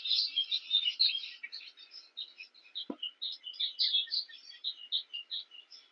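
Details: Cape weavers chattering during nest building by a King Protea keep up a dense, scratchy chatter of overlapping wheezy notes and buzzy trills, several birds calling at once with hardly a pause.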